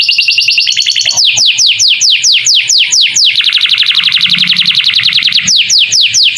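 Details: Canary singing a masteran song with lovebird fill, for training young birds: a quick high trill gives way to loud downward-sweeping notes repeated about twice a second, then a dense fast rattle, with sweeps returning at the end.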